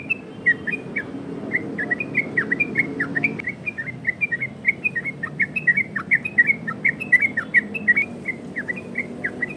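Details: Yellow-vented bulbul singing in the 'ropel variasi' style, a recording meant to lure and train other bulbuls: a long run of short clear whistled notes, mostly dipping or rising slurs, given about every quarter second over a low background hum.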